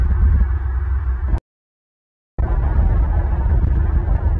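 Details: Low rumbling, throbbing noise is interrupted by about a second of silence, from a bald eagle nest recording on 5 April 2023, with no calls heard.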